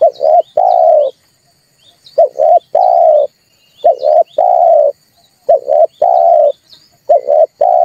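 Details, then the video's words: Red collared dove, recording used to stir birds to sing and as a lure: low, throaty coos, two short notes then a longer drawn note, about every two seconds; thin high chirps of small birds behind. "tiếng chim cu ngoi"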